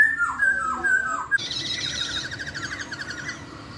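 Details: Melodious laughingthrush song that prompts another reluctant laughingthrush to answer: three clear whistled downslurred notes, then a fast buzzy, rattling chatter of repeated strokes.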